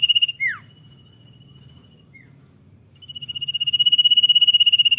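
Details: Common iora (cipow) in lively 'dor nyiul' singing: a trill cuts off into a sharp descending whistle, a brief soft chirp follows after a pause, then a new high pulsed trill builds gradually in loudness.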